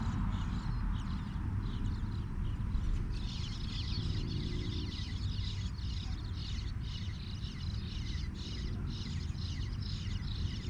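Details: Baby bluebirds with their parents nearby, chirping loudly: dense bursts of short, high chirps come in quick rapid clusters, mostly from the third second on, over a steady low rumble of wind or distant traffic.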